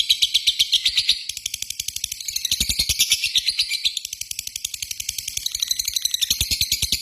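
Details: Lovebird call, a lure recording of ngetik calling that runs into a long ngekek trill: dense, high, chattering trill held throughout, with rapid ticking pulses about four per second underneath.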